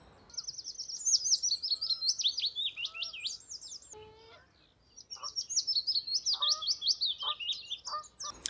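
Two sweet, high willow warbler phrases, each a cascade of notes sliding downward over about three seconds. Lower, clipped notes from another bird sound between them.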